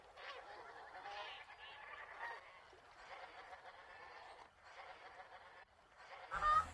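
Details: Taiga bean geese (Anser fabalis) wintering at a wetland park in Korea: one flock advances in a low posture, giving a dense, overlapping chorus of loud honking calls to threaten and attack a rival flock, apparently over a safe feeding site; a brief sharper noise comes near the end.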